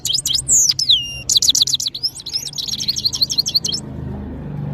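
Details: Powerful singing from a European goldfinch of Parachinar: a fast tinkling run of high twitters and downslurred whistles, ending in quicker chirps that fade into quiet after about four seconds.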